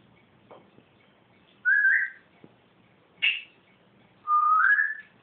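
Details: Caged pet bird calling the cat indoors: three clear whistled notes, a rising slur, a short sharp upward note, then a longer rising whistle, with quiet room noise between them.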